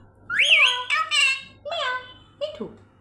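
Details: Pet talking parrot indoors producing a few short, tonal, voice-like utterances with a wavering whistled quality, among a stream of mimicked words such as 'me too' and 'meow'.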